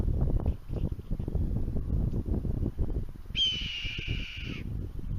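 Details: A red-tailed hawk, seen overhead in Utah, gives one hoarse, drawn-out screech of just over a second, high and slightly falling, over steady low rumbling wind and handling noise.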